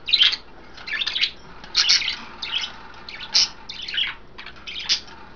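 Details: Bathing pet budgies kept in a cage indoors; short raspy chirps and squawks arrive about every second in uneven pulses, with faint background hiss.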